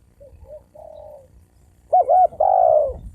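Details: Spotted dove cooing to provoke males and females into fighting. Soft, low short coos first, then one loud phrase: a wavering double note and a long falling coo, with faint low rumble underneath.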